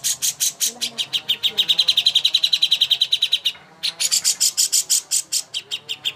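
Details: Greater green leafbird as master song for bird contests: bright chips run into a fast, even, high trill, then a brief pause and a further series of loud, rapidly repeated sharp notes.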